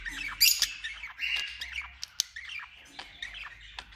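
A male budgerigar warbles a continuous, scratchy chatter of high chirps, squeaks and quick rising and falling notes, broken by sharp clicks.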